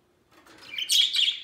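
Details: Pet budgerigars, three kept together and playing peacefully; a quiet start swells into a loud, scratchy, high-pitched warbling chatter.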